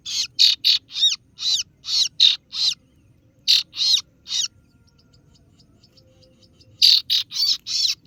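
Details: Harsh 'ciet ciet' lure call of the kaso-kaso bird (singo barong), meant to attract rivals: rapid bursts of rasping high notes in three groups separated by short silences.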